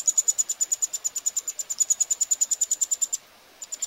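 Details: Eurasian wryneck chicks begging while being fed at Pribytki, Russia, on 2 July 2018: thin, very high pulsed notes repeated rapidly, about eight a second, then a sudden pause.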